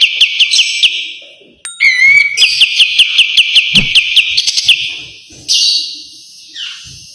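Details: White-eye master song in the tight 'besetan' style for training: a run of sharp repeated notes, a brief gap, a rising whistle, then a long fast series of ringing chips fading into softer notes.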